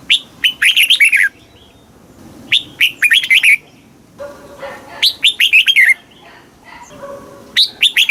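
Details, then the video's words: Red-whiskered bulbul song, southern master style, used to rouse caged birds and train chicks: four lively phrases of quick, descending whistled notes in fast strings, roughly every two seconds, with low background hum. "เสียงนกกรงหัวจุก ร้อง ริก เปิดให้นกฟัง ยั่วให้นกคึกจัด"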